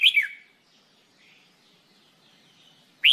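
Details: A red-whiskered bulbul recorded for song training gives a bright, slurred whistled note that falls away, a soft warble, then a sharp rising note about three seconds later.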